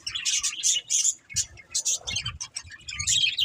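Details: Budgerigars give quick bursts of bright, scratchy chirps separated by brief pauses, with overlapping warbled notes from more than one bird.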